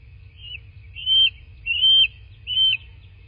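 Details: Bald eagle at a nest in a quaint landscape of southwest Florida, caught by a nest camera on 13 March 2024 around 19:02. Four thin, high, steady whistled notes come about every 0.7 seconds over a low constant hum.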